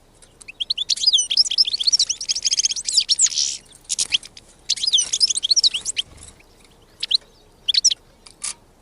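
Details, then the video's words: Wild European goldfinch song in two bursts of rapid liquid twittering and chirps separated by a short pause, followed by scattered single call notes and quiet gaps. "غناء الحسون البري"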